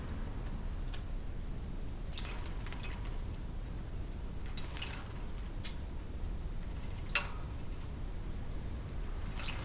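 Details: Water drips and splashes softly in a small indoor room, with scattered sharp taps and a low steady background rumble, and no bird song.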